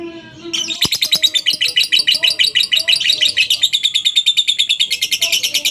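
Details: Lovebird ngekek used as a lure to start other lovebirds singing: after a short quiet start, a sustained, rapid, shrill chattering trill pulses evenly for five seconds.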